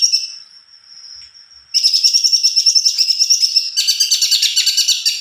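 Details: Greater green leafbird in a long rolling song, opening with a thin, held high whistle, then breaking into a loud, fast, regular chatter of high pulsed notes that grows richer.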